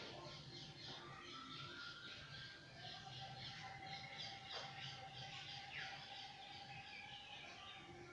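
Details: A male parakeet, a daily visitor to a home garden, calls while eating apple: quick, harsh, high chirps, about three a second, over a steady low whistle-like hum and other bird chatter.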